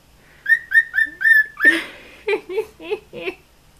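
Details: A male pet cockatiel sings to one of his own moulted feathers, as if to another bird, with a run of clear, even whistles, then breaks into rougher, throaty chattering notes.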